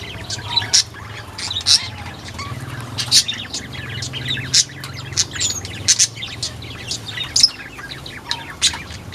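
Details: Sunda white-eye of the Buxtomi type, kept in a small aviary and described as always singing, recorded Friday 1 November 2024; sharp high chirps and short twitters repeat irregularly over a steady low hum.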